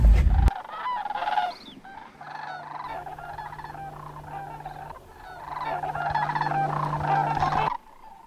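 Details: Large flocks of greater sandhill cranes arrive to roost near dark at Crex Meadows, western Wisconsin, mid-October, after rain and under overcast skies, giving overlapping rolling, trumpeting bugles in a dense chorus over a steady low hum.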